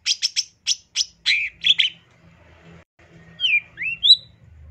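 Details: Long-tailed shrike song for bird training in Indonesia: a burst of six or seven sharp harsh notes, then a pause and three rising and falling whistled slurs, with quiet low hum between phrases.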